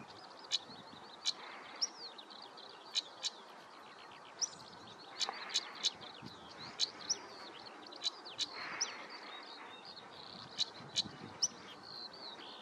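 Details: European stonechat at Spiere, Belgium, on 1 July 2024, giving hard, clicking tack notes at irregular intervals, over a busy background of high twittering from other small birds.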